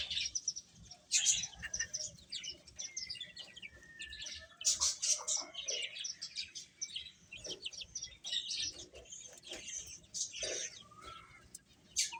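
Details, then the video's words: Young chickens eating with constant high-pitched chirping from many birds, quick scattered peeps and a few downslurred notes over soft background noise. "Beautiful Chicks Chirping Sounds | Baby Hen Eating"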